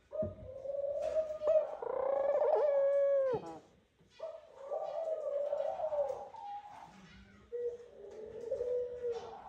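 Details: Male Eurasian collared dove calling his female to the nest while the pair court: three drawn, moaning coo phrases separated by short pauses, the first loudest, with faint clicks and rustles.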